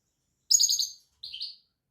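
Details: European goldfinch giving two short twittering phrases about a quarter second apart. The first is bright and rapidly stuttered; the second is softer with a slightly falling, buzzy quality.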